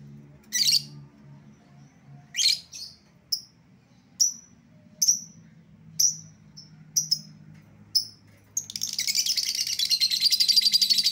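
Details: Escaped-lovebird lure call: scratchy squawks and evenly spaced sharp, high chirps about every second, then a dense, continuous shrill chatter to the end.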